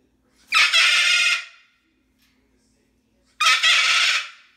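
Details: Two long, harsh screams from a household Moluccan cockatoo, each close to a second, separated by about two seconds of near silence, in a demonstration of the loudness parrots reach.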